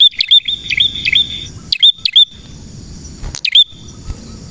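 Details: Lively male prenjak merah: a quick run of high, thin chirps at first, then spaced single and paired sharp twisting notes, with low background rumble between them.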